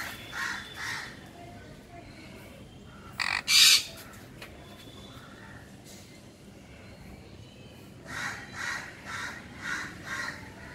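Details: A semi-adult pair of sun conures give harsh, grating squawks in short bursts, with one especially loud, piercing screech.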